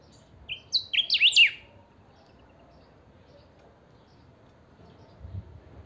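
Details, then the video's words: Saffron finch (chiviro) called a 'pica', one of a pair of singing pet birds. One quick burst of bright high whistles, a level note and then fast zigzag slurs, followed by several seconds of quiet with a faint low thump. "Pica cantando a full"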